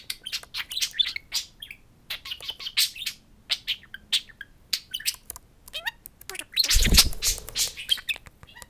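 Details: Two talking pet budgerigars at a mirror indoors; steady stream of quick chirps and squeaky warbles, then a loud broad burst of noise toward the end.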